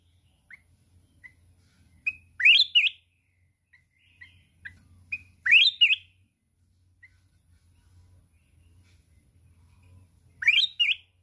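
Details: Red-whiskered bulbul from the mountains, in fierce contest singing with constant wing-flapping; three loud looping whistled phrases about every four seconds, each led by soft short chirps, with quiet low hum between.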